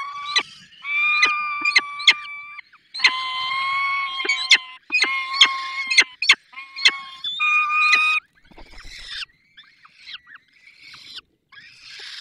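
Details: Falcons at a nest in the Barycz Valley during feeding: strong, drawn-out, tonal wailing calls repeated in blocks with sharp clicks, then quieter scratchy calls trailing off.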